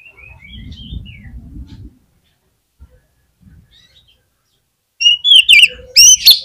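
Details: Oriental magpie-robin lure song to spur other magpie-robins to sing: soft whistled notes over a low rumbling noise, silence, then a sudden loud burst of sharp, bright song phrases.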